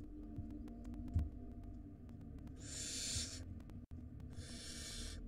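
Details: Nestling barn owls in their nest, where older chicks dominated scarce prey brought by the parents. Two long rasping hisses, roughly a second apart, over a steady low background hum.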